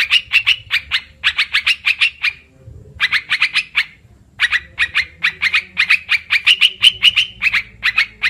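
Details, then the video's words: Olive-winged bulbul lure call used for bird trapping, clear recording: fast runs of sharp, bright chattering notes, several per second, in bursts broken by short pauses near the middle. "suara pikat burung TRUKAN//merbah belukar,karuwang"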